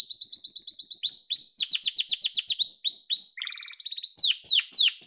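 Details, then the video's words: Song of a yellow canary kept as a pet: quick repeated upward-sweeping whistled notes, about four a second, then fast rattling trills and a lower buzzy roll before bright rising chirps return. "Muhteşem Kanarya Sesi: Sarı Kanarya'nın Efsanevi Ötüşü"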